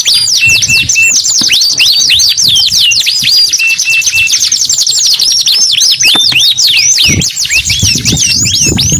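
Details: Long, vigorous canary song of tumbling high slurs and rapid trills, with several short level whistles early on and faint low background noise near the end.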